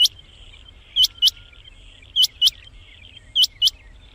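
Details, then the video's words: Calls of a rain quail, used to lure quail for trapping: bright, high, clipped notes given in doubles about every second and a quarter, over a low steady hum. "Rain Quail sound 2025,Chinga batair ki awaz"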